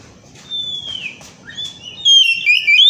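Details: Oriental magpie-robin song used to coax other birds into singing: a long falling whistle, a short rising note, then louder looping whistled slurs at the end.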